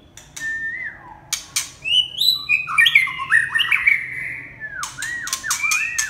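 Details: Red-whiskered bulbul giving varied clear whistled phrases, some notes sliding downward and others rising, delivered in quick bursts and mixed with sharp clicking taps, over a low steady background hum.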